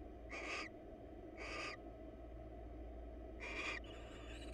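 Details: Wild barn owls, a pair preening each other's feathers in a nest box: three breathy, grating screech bursts, two close together and one after a pause, with faint steady hum behind.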